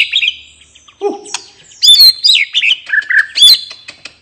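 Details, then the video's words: White-rumped shama singing the relaxed 'ngeplong' style meant to get silent birds singing again: loud high whistles and chirps, a low mellow note, then rapid bright slurred phrases. "suara murai batu ngeplong santai bikin burung bahan/macet cepat bunyi dan gacor lagi"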